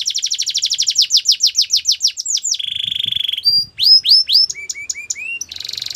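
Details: Belgian canary song for training canaries to sing: a fast run of repeated downward-sweeping notes, then a steady buzzy held tone, then upward-curving chirps and a rapid high trill at the close, with no other sounds.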